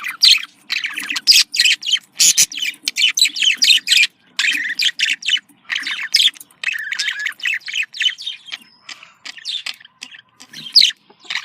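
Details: Domestic budgerigars' breeding-stimulation chatter: a long, busy stream of rapid clicks, squeaks and warbled chirps, rising and falling in short, choppy phrases.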